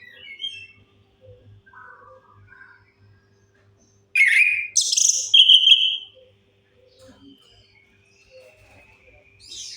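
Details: Chestnut-capped thrush song intended as a lure for mute birds: quiet scattered chirps and warbles, then a loud two-second burst of high, varied whistled notes, followed by faint twittering.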